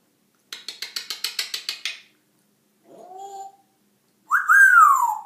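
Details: Pet African grey parrot making funny noises: a quick run of about nine clicking chuckles, a short low nasal slur, then a loud slurred whistle that rises and falls.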